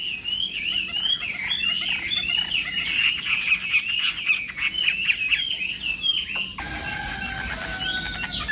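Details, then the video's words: Chinese hwamei singing in the morning, contest style, a continuous warbled stream of high notes set against steady background noise, ending in a quieter, altered passage. "Hoạ Mi Hót Đấu /hoạ mi hót sáng luyện giọng kich bổi sổ giọng chim hót hay mỗi ngày/"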